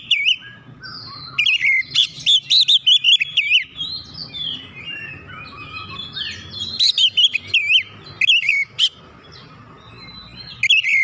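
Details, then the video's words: Oriental magpie-robin song played to provoke non-singing magpie-robins: long, rich sequences of varied whistles, trills and twitters in bursts separated by softer passages, over steady low background noise. "PANCINGAN KACER CEPAT EMOSI 100% KACER MACET MALAS BUNYI CEPAT GACOR"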